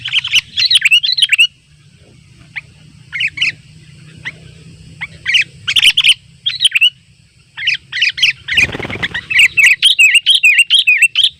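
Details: Sooty-headed bulbul in the wild calling to rivals as birds swarm near a simple trap. Bursts of quick, bubbly high chirps alternate with quieter gaps, ending in a long, steady stream of rapid notes.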